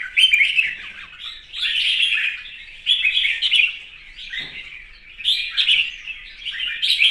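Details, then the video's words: Morning and competition singing of a red-whiskered bulbul: loud, lively warbled phrases of about a second each, separated by short pauses, repeated five or six times, with occasional sharp clicks. "Hót sáng hót đấu"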